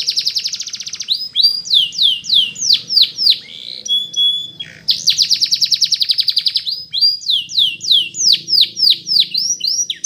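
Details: Canary singing a Spanish Timbrado training song, rapid trilled rolls of downward-sweeping notes repeated about three times a second, broken by a brief steady whistled tone near the middle, with a faint low hum underneath.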